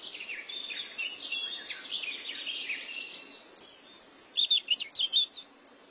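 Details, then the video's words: Two black-and-white woodpecker chicks in a tree-hole nest in Bangladesh, waiting for their mother to bring food; high, thin, squeaky chirps in rapid busy runs, then short separate sharp notes near the end. "kath thokra pakhir chana|| life of wood packer|| Bangladeshi wood packer||wood packer’s nest||"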